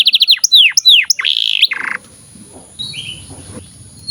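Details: Canary song for tutoring young canaries and birds that have stopped singing. Quick falling trills and a buzzy rolled phrase last under two seconds, then the song fades to near quiet with one soft whistled note.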